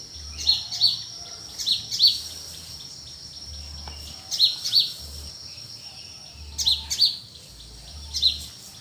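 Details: Countryside birds in the cool early morning give paired high piercing chirps in irregular bursts, with a steady high insect-like hiss and low rumble beneath.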